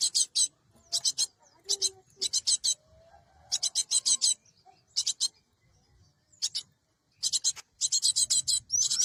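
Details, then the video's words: Harsh, scratchy high-pitched bursts from a cinereous tit, used to lure birds into traps, come in groups of two to four with quiet gaps, one longer pause near the middle. "Suara Burung gelatik batu"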